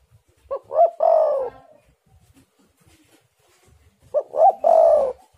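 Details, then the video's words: Spotted dove in full song, played as a lure to set silent doves singing: two phrases about three and a half seconds apart, each two short rising coos followed by a long, drawn-out, slightly falling coo. "tekukur super gacor pancingan untuk macet bunyi jadi gacooorr"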